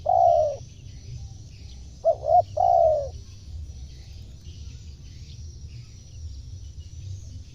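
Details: Spotted dove cooing as a lure for wild birds; a long mellow coo, a pause, then two quick short notes and another long falling coo, with steady low background rumble.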